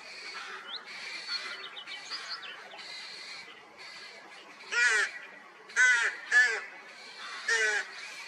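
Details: Nesting rooks with young chicks in mid-May 2023 after a cold spring: a murmur of softer overlapping calls, then four rasping, croaky notes spaced about a second apart.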